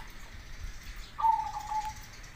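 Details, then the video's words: Zebra dove, local and crossbred, recorded as a lure for other doves to answer; a single rolling, slightly descending trilled coo phrase after a quiet start. "Suara perkutut lokal vs Krosing cocok untuk masteran pancingan langsung Nyaut"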